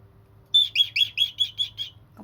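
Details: A senior pet cockatiel, after a shower, gives a quick series of bright, high chirps, about five per second.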